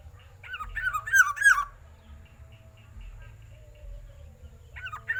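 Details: Loud black-naped oriole phrase of several harsh, slurred notes lasting about a second, followed by a quiet gap, then a second phrase starting at the very end, over a low rumble.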